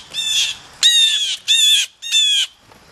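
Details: Excited blue jays rushing in to grab peanuts give four harsh, nasal, squawking calls, each about half a second long, the last three loud and evenly spaced.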